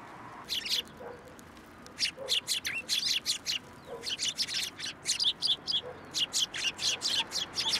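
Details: January 2, 2023, Tenmangu shrine: sparrows coming to a post for food chirp busily, crisp notes repeated in uneven runs, thickening into near-continuous twittering in the second half.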